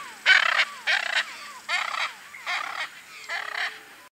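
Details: Hyacinth macaw exploring riparian forest in search of food such as coconuts and seeds; five loud, raspy, grating squawks, each about a third of a second, spaced at slightly irregular intervals under a second apart, with no other clear sounds.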